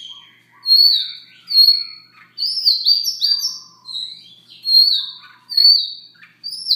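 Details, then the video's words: Morning soft song of a Siberian rubythroat: a busy run of high whistled notes, rising and falling slides and quick twittering fragments interleaved with lower rattling notes, delivered almost continuously. "Siberia ruby throat"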